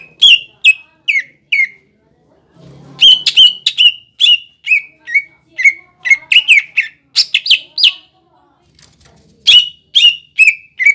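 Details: Cucak ijo in energetic song, used to provoke young and newly caught birds into singing: rapid, bright, slurred whistled notes falling then flattening, delivered in quick bursts with short pauses.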